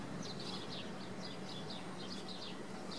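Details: Swallows at Wicken Fen giving faint, high twittering chirps in irregular bursts over a steady low rumble of background noise.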